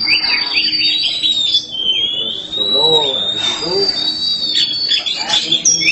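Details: Kacer hitam, a black Oriental magpie-robin, in full gacor song: one long, clear, sustained whistle wavering gently, then bursts of sharp chirps, while a person talks quietly nearby.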